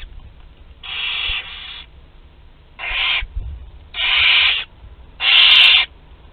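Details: Group meal of barn owl chicks aged two to twelve days, Théding, France, 29 April 2021; four raspy screeches growing louder, each about half a second, a double one first, spaced about a second apart.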